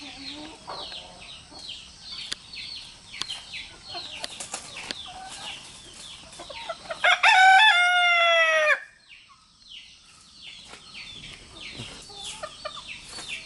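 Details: Rooster crowing as communication among three roosters with their hens: one loud, harmonic, drawn-out crow of under two seconds midway, amid steady chirping of small birds and a few soft clucks.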